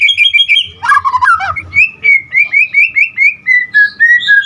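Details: White-rumped shama giving a quick warbled run, then a steady series of short, clear rising whistles, about four per second, gradually dropping in pitch.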